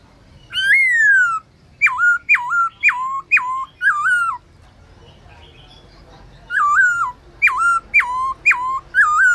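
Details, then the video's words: Midday training song of a black-throated laughingthrush in forest-style voice: a long falling whistle, then five quick hooked whistled notes, a pause of two seconds, then another run of hooked, ringing notes. "Khướu bạc má HÓT BUỔI TRƯA cực hay , Luyện khướu bạc má hót cả ngày, khướu bạc má hót giọng rừng"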